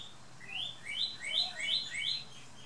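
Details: Male red northern cardinal singing in a garden on the Big Island: a quick series of about eight rising, slurred whistles that alternate between two pitches, steady and clear over faint background hiss.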